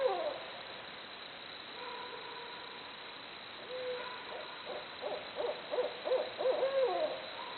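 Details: Barred owls hooting: faint, distant drawn-out notes at first over a quiet background, then a rapid excited series of pulsed hoots building louder toward the end.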